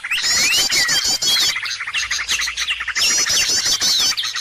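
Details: Bird-attracting lure call: a crowded mix of sharp chirps, quick trilled phrases and rising-falling slurred whistles, with a brief quieter gap partway through.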